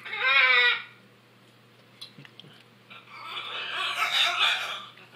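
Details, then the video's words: An aggressive macaw gives a loud, nasal, bleating squeal, then after a pause a long, harsh, grating screech, with a few faint clicks between; its squeals and goose-like noises. "Noisy macaws"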